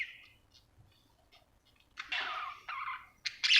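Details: Happy budgerigar after a near-silent start breaking into a burst of scratchy warbled chatter and buzzy chirps, ending on a couple of sharp clicks.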